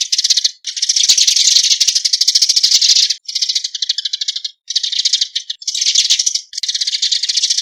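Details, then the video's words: Eurasian tree sparrow calling to gather the flock: dense, dry, rapid rattling chatter of high buzzy pulses, delivered in long bursts broken by brief pauses, with no other sounds present. "Tiếng chim Sẻ cây gọi bầy"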